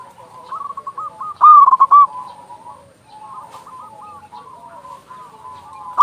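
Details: Local zebra dove with a big voice, played to get doves singing: one loud, choppy cooing phrase early on, then a long stretch of quieter rolling coos from other doves.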